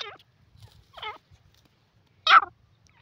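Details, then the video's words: Grey francolin, called desi teetar, giving loud harsh calls: three separate squealing notes in about three seconds, the last the strongest, with silence between. "beauti grey pheasant awaz,desi teetar bird awaz"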